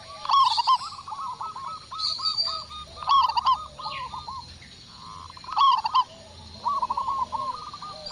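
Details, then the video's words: Indonesian local zebra dove singing actively after one lure call: repeated rolling coos in quick staccato bursts, pausing between phrases, while a second, softer cooing voice joins in. "Perkutut Lokal Gacor Suara Besar | Cukup Hanya Sekali Pancing Kutut Langsung Nyaut"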